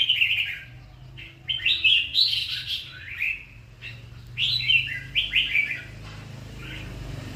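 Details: Red-whiskered bulbul song of quick, liquid whistled phrases, short slurred notes clustered in two main bursts with quiet gaps between, over a faint low background hum.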